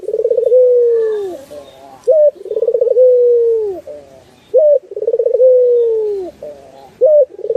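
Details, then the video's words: Turtle dove singing on a master recording meant to train other birds: three cycles of a rapid, stuttering lead-in followed by a drawn-out, gently falling coo and a sharp, clipped upturned note, on a clean, quiet background. "Masteran Burung puter"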